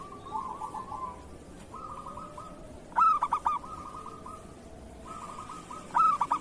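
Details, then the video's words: ['Local zebra dove, recorded for training silent or moulting doves. Soft trilled phrases alternate with two loud, punchy bursts of cooing notes about three seconds apart, each trailing into a rolling purr.'] "Suara perkutut lokal masteran perkutut kerot"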